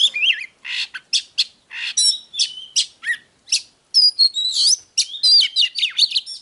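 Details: Rich 'déo' song of an Oriental magpie-robin, meant to excite newly caught birds into fighting: rapid bursts of harsh, scratchy notes give way to clear, looping whistles and rising slurs, quick and varied, in otherwise silent background.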